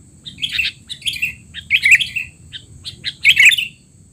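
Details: Noisy sooty-headed bulbul calling, played as a training recording for young bulbuls: bursts of bubbly, slurred chirps roughly every half second to second, with quieter single notes between and a thin steady high tone.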